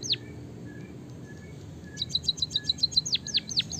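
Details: A white-headed munia gives canary-style song: one falling whistle, scattered faint chirps, then a rapid high trill of about a dozen clicks leading into strong downward-sweeping whistles.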